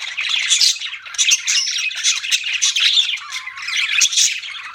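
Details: Budgies keep up an unbroken stream of scratchy squawks and quick chirps, busy and overlapping, with a few brief whistled notes mixed in.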